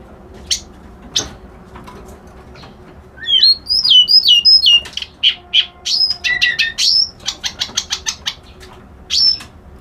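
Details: Reed warbler, called white-browed kerak basi locally. A few isolated sharp notes lead into a fast, varied song of looping whistles, grating buzzes and clipped chattering notes repeated in quick succession.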